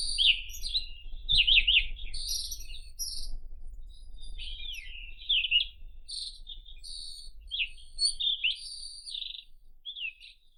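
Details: White-throated robin singing scratchy, looping warbles and twisting whistled notes in separate phrases, fading slightly toward the end, with a faint low thump near the start.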